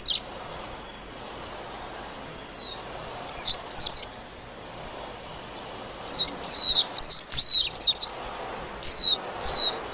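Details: White-eye singing in bouts: a few spaced high, falling notes early on, then a denser chirpy run of descending twitters with further notes near the close.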